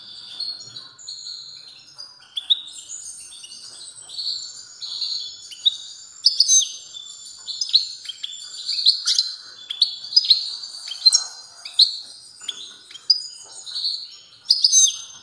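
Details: European goldfinch in strong song: a continuous high twittering stream of quick chirps, short trills and sliding notes, with louder bursts every second or so through the whole stretch.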